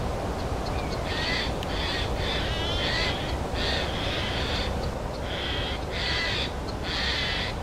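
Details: An adult Red-backed shrike with fledged young gives harsh, rasping calls about every half second to second over a steady low rumble, while Eurasian jays and very distant European bee-eaters call in the background.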